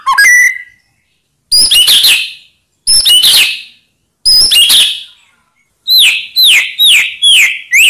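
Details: White-rumped shama song meant to provoke rival birds: dense bursts of high chirps every second or so, then five sharp downward-sweeping whistles in a row.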